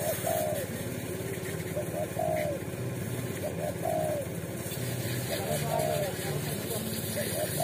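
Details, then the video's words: Wild street spotted dove in Indonesia, a bold bird living at a watering post and targeted by lure trappers, gives soft low coos in short repeated phrases amid steady engine hum and people talking. "FULL KUK SATU‼️TEKUKUR JALANAN GAR4NG DAN PEMBERANI‼️"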